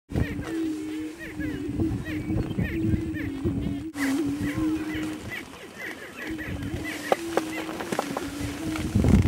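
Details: Many greater prairie-chickens, heard from a blind at dawn on a cold morning, give low, hollow, moaning hoots overlapping in a steady chorus, with higher cackling and chattering notes scattered throughout.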